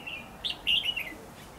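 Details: Red-whiskered bulbul lure bird used in trapping, 8 December 2015, giving competitive song: a short bright warbled phrase of a few sweet slurred notes, one rising chirp then a louder falling flourish.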